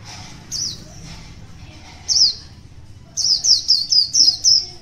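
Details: Wild white-eye, one year old, singing in the morning. Two isolated high falling notes separated by pauses, then a fast burst of six bright, descending chirps packed close together near the end.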